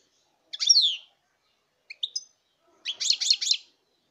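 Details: European goldfinch, 2019: a slurred descending note, a couple of short chips, then a quick run of four bright, repeated twittering notes.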